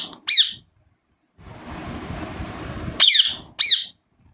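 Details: Rose-ringed parakeet chirping indoors: a single sharp descending chirp, a stretch of hissing noise, then two more loud high chirps close together.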